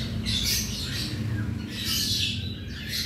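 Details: Cockatiels kept as a colony of around 100 birds in an aviary, heard during routine cage cleaning; two loud patches of shrill, grating squawks from several birds at once over a steady low hum.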